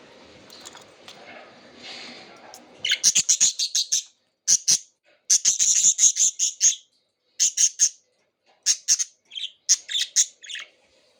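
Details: Pet budgerigars, which pluck out feathers, chirp in quick, scratchy bursts of high, buzzy notes, pausing briefly between runs.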